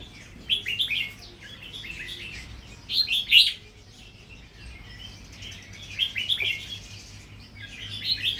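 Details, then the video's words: Red-whiskered bulbul from a natural line, now beginning to double its phrases; short lively warbled bursts of chirps repeat four times, the loudest in the middle. "นกกรงหัวจุกสายธรรมชาติ เริ่มมีเบิ้ลให้ได้ฟังบ้างเเล้ว"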